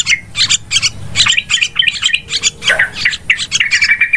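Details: Yellow-vented bulbul lure call used for trapping, very noisy: dense, rapid bubbly chattering of short harmonic notes, several overlapping, continuous throughout with brief squawk-like slurs.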